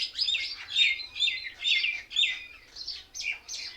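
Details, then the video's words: Mynas sitting together in a tree give loud squeaky chirp bursts repeated about twice a second, overlapping harsh notes that sound like mockery and laughter among the flock. "Mayna Birds sounds"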